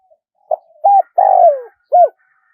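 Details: Spotted dove crowing in the 'one kuk' style, a full phrase: short opening coo, a flat hooted note, a long buzzy coo sliding downward, then a final arched coo. Low, mellow and clean, with no other sounds.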